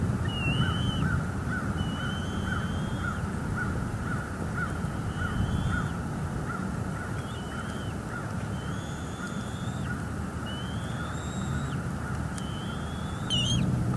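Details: Two bald eagle nestlings at a northeast Florida nest, filmed by a live nest cam during an evening feeding on 16 February 2022. Thin, high, whistled chirps recur every second or two over a steady hiss and a faint hum.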